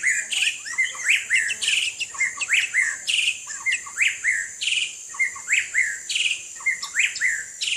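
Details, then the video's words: White-rumped shama singing while bathing in rain: loud whistled notes sweeping upward, repeated in quick phrases about every half second over a steady high hiss of rain. "Murai Batu Main Hujan"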